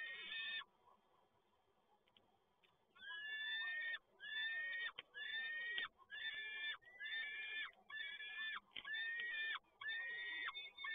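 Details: At Toruń on 7 May 2022, a male peregrine falcon brings yet another prey delivery while grating, harmonic wailing calls ring out in long run of regular bursts, close to one per second, over a faint steady hum.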